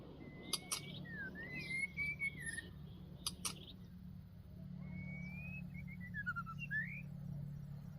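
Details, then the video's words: White-rumped shama trapped in northwest Vietnam while fighting: clear whistled phrases, some rising and some falling, with sliding notes and a run of short descending notes. Sharp clicks and a steady low hum sit underneath. "chim chòe lửa Tây Bắc đấu nhau"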